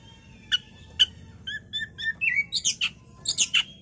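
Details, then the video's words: Oriental magpie-robin (kacer) bait recording meant to make the bird agitated and sing: clear whistled notes repeated about every half second, then a rising slur and a flurry of high, harsh, scratchy notes near the end. "Pancingan KACER agar cepat EMOSI dan GACOR"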